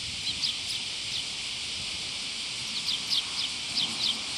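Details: Sparrows flying in to take food put out on a post at a Tenmangu shrine, 22 July 2024: short, high, thin chirps in small scattered bursts, a few per second near the start and again toward the end, over a steady loud hiss.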